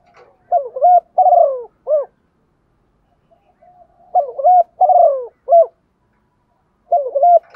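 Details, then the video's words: Calling female spotted dove, used to stir up males: low, soft cooing phrases of clipped notes and one longer downward-sliding coo, the phrase repeated after a pause of about two seconds. "tieng chim cu mái kích trống"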